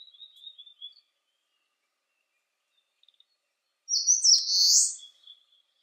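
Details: Eastern crowned warbler singing under clear skies at 19°C: faint thin twitters, then a pause, then one loud high phrase of sharp notes running into a slurred buzz.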